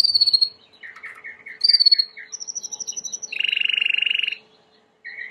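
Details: Timbrado canary song for training: varied phrases of short trilled notes alternating high and lower, a steady high rattle, then a buzzy low rolling trill, with brief pauses between sections.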